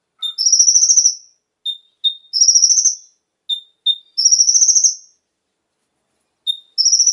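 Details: Konin song for prompting caged birds to sing; alternating short clipped whistles and fast pulsed high trills of about a second, the pattern repeating four times with quiet gaps.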